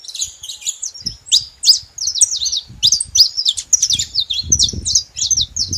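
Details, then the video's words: Saffron finch calling in bright, clipped chirps and short twittering phrases, repeated rapidly, with some low thumping noise in the background. "Canário da terra fazendo barulho"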